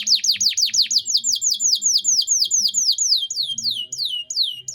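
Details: An energetic canary delivers a 'cengkok mewah' tutor-song passage: a steady run of high, downslurred chip notes repeated roughly three times per second, loud and clear throughout, slowing slightly near the end.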